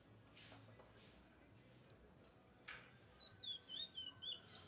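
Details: At Barrackpore, a Trinidad bullfinch bursts into a quick series of high, sweeping whistled notes after two soft thumps and a brief noise, the warbling growing louder toward the end.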